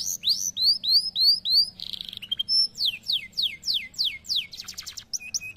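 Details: Canary singing: a fast series of rising whistled sweeps repeated about three per second, then buzzy rolls, short trills and bright descending slurs, all high-pitched with a faint low hum underneath.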